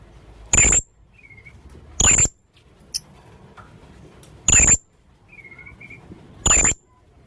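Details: Lure recording of a young blue-crowned hanging parrot: four sharp, high squeaks at irregular intervals, with a faint soft whistle from another bird in the gaps.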